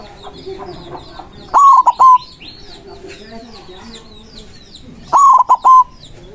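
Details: Strong-voiced white zebra dove, used to lure and challenge other zebra doves, gives two stuttering cooing phrases about three and a half seconds apart, each ending on a drawn-out coo, with continuous chirping birds in the background.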